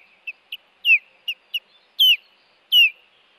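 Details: Osprey at a Hellgate nest camera on 26 April 2018, arriving with a fish to protect its mate from an intruder: high whistled chirps, some short and clipped, others longer and sliding downward, given in an uneven series of about eight notes.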